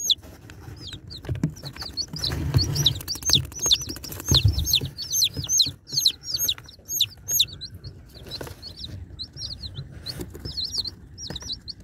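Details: Baby chicks being unboxed, several birds peeping at once: shrill, high, sharply bending peeps that tumble over each other in quick irregular bursts, with low rumbling and thumping handling noise underneath.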